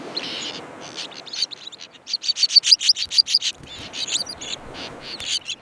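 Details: Common terns calling at a breeding colony: a crowded run of sharp, grating high notes repeated rapidly, several birds at once, with a burst of evenly spaced loud calls near the middle.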